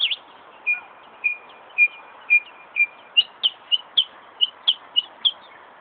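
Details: Northern mockingbird (Mimus polyglottos) at Buckland Park, Brighton, New York, mimicking a car alarm (perhaps nearby ambulance sounds too): a run of flat whistled notes around two per second, then sharper, higher chirps repeated at a quicker pace.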